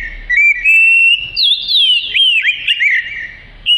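An oriental magpie-robin sings a loud, continuous run of clear whistles, sliding up and down and growing busier and more varied as it goes.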